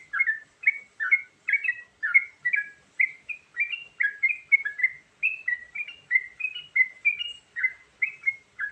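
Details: Continuous varied song of a sooty-headed bulbul, the kind used to lure birds: lively chirped whistles in quick down-slurred pairs and triplets, delivered without break in a bubbly, chattering flow.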